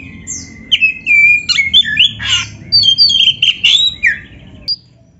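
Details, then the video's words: Oriental magpie-robin singing to spur lazy caged birds into reply: a long steady whistle opens, followed by a burst of chattering, slurred whistles and rasps, ending with a lone high note. "TERAPI KACER GACOR DONGKRAK BIRAHI DAN EMOSI BUAT KACER MALAS BUNYI"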